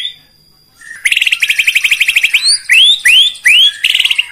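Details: White-rumped shama song meant to provoke rival birds: a quiet start, then a fast stuttering rattle of repeated notes, followed by loud rising whistled sweeps alternating with short trills.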